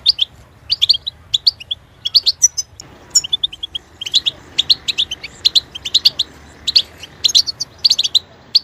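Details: European goldfinch kept as a pet songbird, pouring out quick liquid chirps and short trills, a brief gap early on, then dense high twittering to the end.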